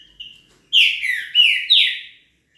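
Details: A single phrase from a velocista trinca-ferro (green-winged saltator): a short thin note, then four loud slurred whistles sliding downward and then level, ending abruptly.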